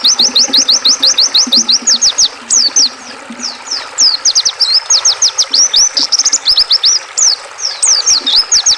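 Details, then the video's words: Oriental white-eye song for training and calming caged songbirds, mixed with river sound: rapid high thin whistled notes in quick slurred runs, many overlapping phrases, over a steady wash of flowing water. "Suara burung pleci dan suara air sungai"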